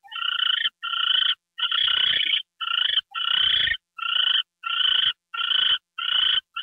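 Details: Owl being given a mouse treat on January 28, 2013, at 9:33 PM. About ten harsh, trilling buzzy bursts follow one another in a steady rhythm, some with scuffling noise underneath.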